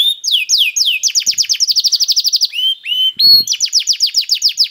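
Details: Singing canary whose song is meant to spur other canaries into singing; falling whistled phrases give way to rapid trilled rolls, a brief low pure whistle, then another fast series of sharp descending notes.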